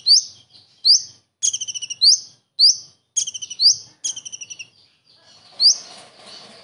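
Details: Common iora singing kingfisher imitations: sharp rising whistles alternating with fast stuttered rattles, a short pause, then one last shrill note over faint background rustling.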